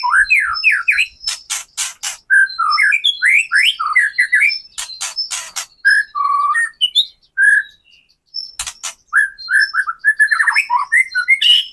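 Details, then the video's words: White-rumped shama singing kretekan, played to goad other murai batu into song: fast rising whistled slurs and warbles interrupted by sharp crackling clicks, with one brief pause midway. "KRETEKAN MURAI BATU GACOR AMPUH UNTUK PANCINGAN MURAI BATU AGAR BUNYI, EMOSI dan BONGKAR MATERI"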